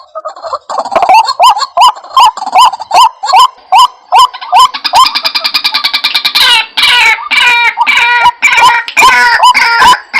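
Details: White-breasted waterhen lure recording: loud repeated rising croaking notes about two or three per second, building into a faster chattering chorus of overlapping calls midway through.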